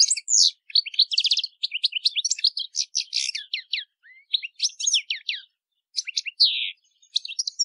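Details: European goldfinch singing a song for educating captive birds: a long, continuous run of high twittering, chirping and liquid notes with brief trills and short pauses.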